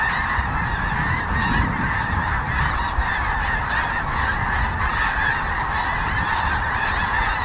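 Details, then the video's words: Sandhill cranes taking off from the Platte River near Kearney, Nebraska in pre-dawn darkness, big groups flying straight overhead; a thick, continuous chorus of rattling, trilled bugles from many birds at once. "are big groups of cranes taking off all the time and you can hear them like flying straight overhead you can see them but there's no way we could get a shot for you"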